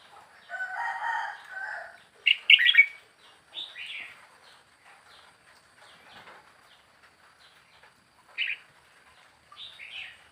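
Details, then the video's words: Young wild red-whiskered bulbul, four weeks in a cage, gives short bubbly warbled phrases after a buzzy harmonic burst, with faint chirps from other birds in the background. "เสียงนกกรงหัวจุกป่า อายุกรง4สัปดาร์"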